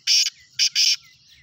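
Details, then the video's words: Black francolin uttering a grating three-part call: a long rasping burst, then a short one and a longer one close together. "Black teetar"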